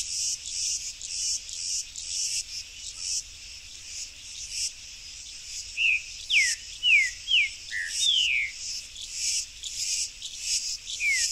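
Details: Wild Buff-throated saltator (tempera-viola) singing in a backyard: after several seconds of only shrill insect buzzing, a run of short whistled slurs, mostly falling, follows at about half-second spacing against the continuing insect din.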